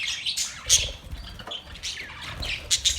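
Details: Australian parrots giving scratchy high chirps and short squawks, overlapping and continuous, with soft low knocking underneath.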